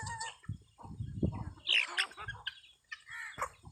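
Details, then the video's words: Geese and goose chicks together: thin high peeps and a bright squeal from the young, brief honk-like adult notes, and low thumping background noise between the calls. "Beautiful and Funy Geese Chicks and Geese"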